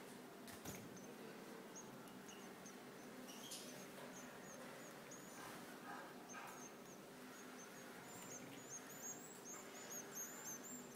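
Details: Thin, very high begging calls of goldfinch chicks being fed by an adult pair come in short repeated bursts, growing busier toward the end over steady background hiss.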